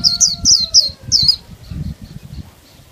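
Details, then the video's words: Female Oriental white-eye gives rapid, high, thin twittering notes in quick strings for over a second, then fading to softer chips over low rumbling background. "PLECI GACOR NGOTOT PENUH EMOSI | Chúa khuyên mái - khuyên mái kích trống siêu líu"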